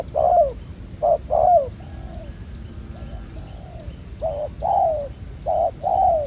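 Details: Spotted dove, a wild-caught bird with a black-spotted collar said to coo well, at a ground-bait trapping site: low mellow coos in paired bursts, a pause, then two more pairs, over a faint hum.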